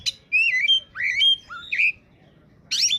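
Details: Oriental magpie-robin (kacer) singing in peak form, a recording used to lure wild birds: loud whistled phrases that slide and rise, clustered in the first two seconds, then a pause and a harsh, buzzy burst.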